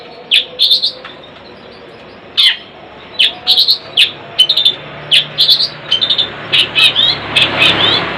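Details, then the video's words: Household long-tailed shrike in song, giving clusters of sharp, high chipping and squeaky notes in irregular bursts separated by short pauses, growing denser toward the end, with soft background hiss. "Burung cendet suamiku"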